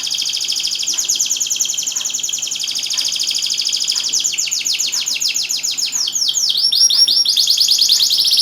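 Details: Canary singing energetically, a recording meant to coax silent canaries into song: a long, fast, high rolling trill of rapid repeated notes, ending in several quick rising swooped whistles.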